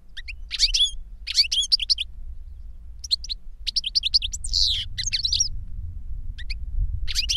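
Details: Teaching song of an older goldfinch for a younger goldfinch: bursts of rapid, tinkling high twitters separated by short gaps, with one wheezy note midway, over a low rumble.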